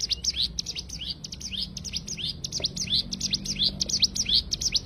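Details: Rapid tembakan burst of a cigun, a training recording for songbirds: high, thin, slurred notes fired off in quick succession, each a short rising or falling flick, continuous throughout.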